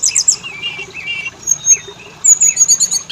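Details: Oriental magpie-robin lure song for males and females: high piercing chips and soft whistled notes, then a quick string of bright repeated notes near the end.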